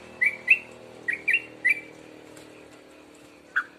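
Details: Two-month-old sooty-headed bulbul starting to sing, giving five short whistled notes in quick succession, some doubled, then a pause and one lower slurred note near the end.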